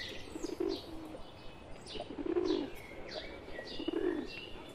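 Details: Wild pigeons with a pet pigeon among them, India, cooing in three low rolling bursts about a second apart, with faint high chirps and sharp calls from other birds overhead.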